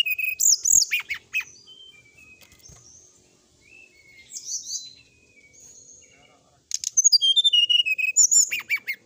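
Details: Sooty-headed bulbul on a night-time training recording, singing a varied, full song: quick loud chirps and slurred notes, a quieter twittering middle section, then a dense burst of rapid, sharp repeated notes.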